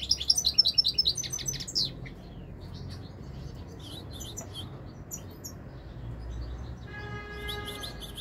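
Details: Goldfinch in full song: quick, repeated metallic tinkling notes for nearly two seconds, then softer scattered twitters, and near the end a steady hum-like tone mixed with renewed high chirping.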